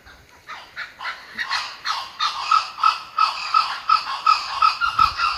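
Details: A laughing kookaburra, found during a walk at Jim Jim Falls in Kakadu National Park, Australia, builds from chuckles into a loud, rollicking laugh of rapid harsh notes, about three per second, rising in volume and holding steady.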